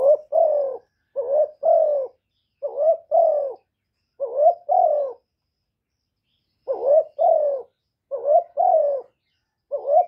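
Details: Spotted dove decoy crowing in a run of calling and urging phrases meant to stimulate other doves. Seven paired coos, each a wavering note plus a smooth falling hoot, repeat roughly every second and a half, broken by one longer pause, in a quiet setting.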